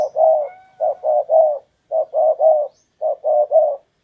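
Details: Spotted dove used as a decoy to lure wild doves. It gives low, hollow cooing in three clear phrases, each a run of three soft rounded notes with short pauses between, over a quiet background.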